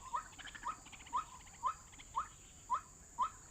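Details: White-breasted waterhen recording played as a trapping lure: short, sharp rising notes, about two each second, with a faint steady high hiss behind them.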